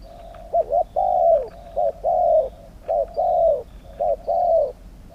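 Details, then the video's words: Spotted dove competing in a Thai singing contest, repeating a three-part phrase about every one and a half seconds: two clipped coos and a drawn-out coo that slides downward, over quiet background chirping. "ต่อนกเขาใหญ่ ต่อเพนียดเถรเปือย กับเซต็ปนกป่าเสียงกลาง"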